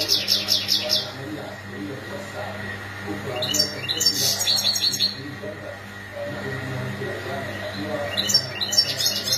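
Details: European goldfinch mating and readiness calls meant to encourage silent males to sing: several short bursts of quick, sparkling high twitters separated by quiet gaps, with a persistent low hum and faint steady tone beneath.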